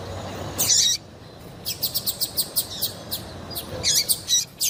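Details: Female double-collared seedeater calls meant to provoke male song: a loud buzzy chirp, then a steady series of about nine quick ticks and a final cluster of bright notes.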